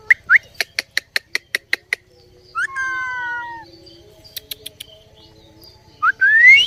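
An Indian ringneck parrot gives upward-swept whistles, a rapid run of about eight sharp clicks, then a drawn-out falling whistle and a final rising one.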